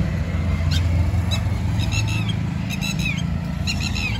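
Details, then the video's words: Red-wattled lapwing in Jamia Nagar, New Delhi, India, giving loud piercing notes in short groups of two to four, the last slurring downward, against heavy low vehicle rumble. "হট্ টি টি পাখি (Red-wattled lapwing bird)"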